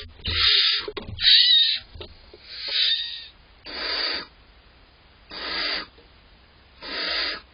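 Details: Hungry barn owl owlets, a larger and a smaller one, in a nest box waiting for mum and dad to deliver prey; six rough, hissing screeches come at uneven intervals, loud at first, then steadier.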